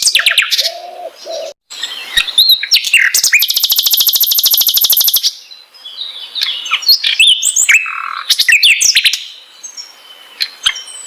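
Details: Flycatcher, known locally as sikatan londo, singing a varied song: rapid chirps and twitters, a long loud buzzy rattle in the middle, then mixed whistled and scratchy notes.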